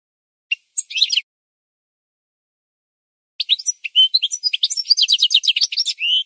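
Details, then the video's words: Singing goldfinch in a training recording: a short twittery burst, long silence, then an extended fast phrase of chirps, trills and buzzy notes ending in a rising whistle. "The Best Singing Goldfinch"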